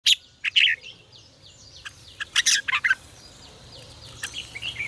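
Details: Red-whiskered bulbul song of the fiery "ché căng lửa" style, recorded as a voice-training lure for caged bulbuls. Short bright warbled bursts come at irregular intervals, with fainter bird chatter in the background.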